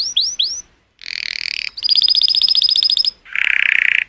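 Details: Colour canary song meant to stimulate females: three upslurred whistles, a break, a harsh buzzy burst, a long rapid metallic trill, then a dense rattling roll.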